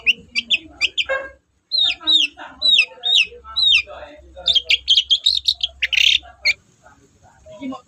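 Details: Long-tailed shrike in lively song, used as a lure to stir quiet shrikes: repeated clear upslurred whistles, then dense scratchy chatter and a harsh burst, with faint low background noise.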